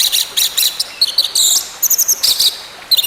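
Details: Song of an orange-headed thrush, played to bring a silent bird back to song: dense, very high twittering phrases with quick buzzy trills and brief gaps, hiss underneath.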